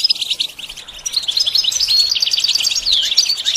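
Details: A goldfinch gives a brief burst of rapid, tinkling, high chirps and liquid twitters, getting louder and fuller toward the end; offered to teach a bird to sing.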